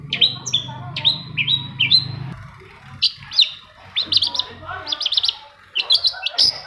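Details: Long-tailed shrike song to prompt other shrikes to sing: paired whistled notes dropping in pitch, repeated steadily, then a faster jumble of high chips and scratchy notes over a low hum.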